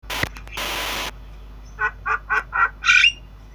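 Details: Black-winged starling (jalak kebo) singing in the obyogan style while learning sounds: a burst of broadband rustling noise, then five harsh, buzzy, evenly spaced notes about a quarter second apart, the last one louder and higher.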